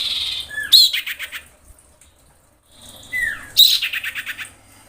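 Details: Female common iora in breeding condition calling to males: a falling whistle leads straight into a loud stuttering rattle of rapid pulses. The phrase comes twice, about three seconds apart, with silence between.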